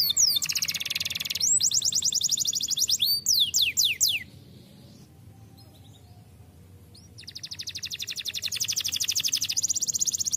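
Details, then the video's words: Canary in full rolling song: long, very fast, high trills of repeated notes, a few slower descending sweeps, then a quiet pause of about three seconds before another extended rapid trill starts and builds. "KENARI GACOR ROLL MANTUL"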